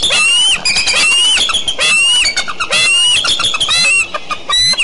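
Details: Decorah eagles, morning of June 29, 2012: rapid, loud, piercing squeals tumbling one after another, harsh and overlapping, with falling lower tones and brief pauses, over low background noise.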